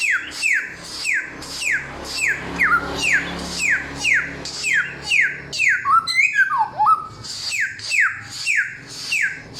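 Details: Long run of clear, loud samyong whistles falling in pitch, about two each second, interrupted midway by a quick tangle of varied chirps and a deep hooked note, over faint low hum.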